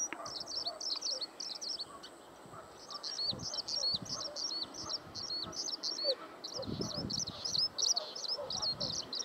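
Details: Skylark song: rapid, high, twittering syllables strung into a continuous run, pausing briefly near the second mark before resuming, over occasional dull low thuds.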